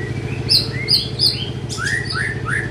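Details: Young white-rumped shama in training, singing short bright rising whistles and high sharp notes in quick succession over a steady low hum.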